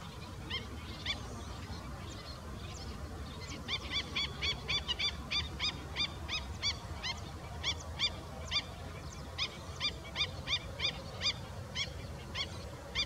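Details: A juvenile black-winged stilt (Himantopus himantopus) gives sharp, nasal yapping notes, about three a second in uneven bursts, over a low background rumble.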